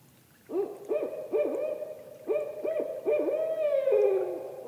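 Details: Barred owl giving an ascending call: a run of short, arched hoots that climb and quicken, ending in a long, wavering, downslurred note.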